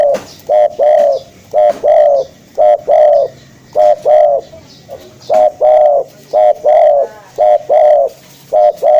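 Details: For luring, a spotted dove coos continuously, short double notes then a drawn coo in each phrase, repeated roughly every second and a half, loud and clear.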